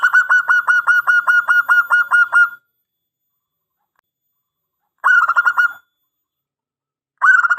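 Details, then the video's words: Zebra dove, local perkutut, in a long-phrase song: a loud run of about fifteen evenly spaced rolling coos over two and a half seconds, then two shorter bursts after a pause. "Perkutut Lokal GACOR !! Suara ANGKATAN PANJANG, Pancingan & Masteran Segala Jenis Perkutut AMPUH !!"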